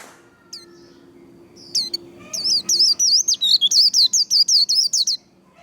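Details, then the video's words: White-eye 'líu đấu' song for stimulating and training singers: a few scattered high notes at first, then from just past two seconds a rapid chattering run of high warbled notes lasting about three seconds. "Vành khuyên líu đấu"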